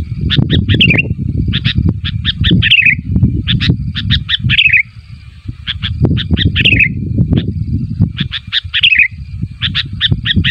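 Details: Calling sooty-headed bulbul meant to make other bulbuls answer, giving rapid runs of clipped chirps ending in a falling slurred note, repeated in groups, with constant low rumbling noise underneath.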